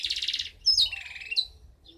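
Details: Goldfinch hybrid from 2015 giving a brief buzzy trill followed by sliding whistled notes and a drawn-out descending tone.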